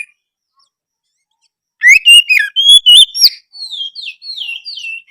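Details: Song of a white-rumped shama used to get other shamas singing: after silence, loud rich whistled phrases with clicks, followed by a series of softer descending slurred whistles.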